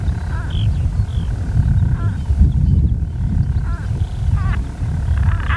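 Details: Daytime chorus from European storm petrel nest burrows, Skokholm, Wales, June 5th 2013: a steady low purring with repeated sharp hiccup notes roughly every second or two, beneath loud wind noise.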